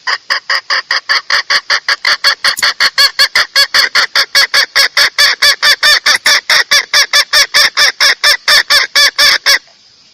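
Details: Female red junglefowl cackling to lure a male: some forty loud, abrupt, nasal clucks delivered in a fast steady beat of over two per second, ending suddenly into quiet.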